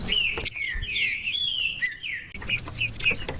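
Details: Green-winged saltator song used by breeders to get a silent bird singing: tangled whistled slurs and chirps fill the first two seconds, then a brief break and scattered high chirps with one more whistle.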